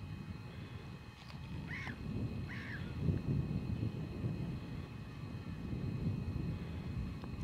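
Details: A lone whooper swan, described as seeking a mate, gives two short, bugling honks about a second apart on 8 April, set against a steady low rumble of wind and engine-like noise.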